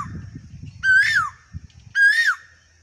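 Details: Asian koel (Eudynamys scolopaceus) singing in a rural field in Rajasthan, India: two loud, clear whistled 'ko-el' notes about a second apart, each swelling upward before dropping away, over a faint low rumble.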